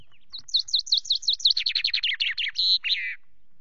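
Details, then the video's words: Common chaffinch on the camera perch at Loch Garten, evening of 24 May, singing between preening. Rhythmic falling notes speed into a descending rattling trill, closing with a brief emphatic flourish; background otherwise quiet. "Chaffinch preened and sang on the cam perch"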